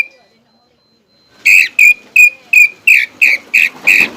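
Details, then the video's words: After a single soft note and a second of quiet, a greater green leafbird breaks into a steady series of strong, slightly buzzy whistles about three per second, part of its song stocked with pelatuk bawang (flameback woodpecker) mimicry. "CUCAK IJO GACOR ISIAN PELATUK BAWANG"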